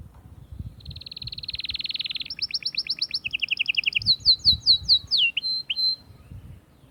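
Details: Song of an Atlantic canary meant to excite females for breeding, opening with a fast dense rattle, moving into crisp repeated chirps at two pitches, then loud separate swooping whistled notes that slow toward the end.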